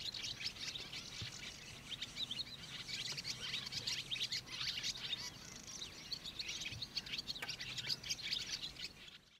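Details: A barn swallow twitters in a fast, continuous, high-pitched warble of chirps and scratchy notes, with a faint low hum in the background, at Lake Kerkini National Park, Greece, in April 2024.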